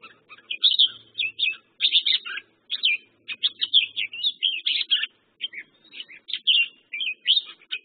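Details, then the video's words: Red-whiskered bulbul, locally merbah jambul, singing a run of short bubbly, liquid whistled phrases, each a quick rising-and-falling burst, repeated almost without pause, with a faint low hum underneath. "red whiskered bulbul/ merbah jambul"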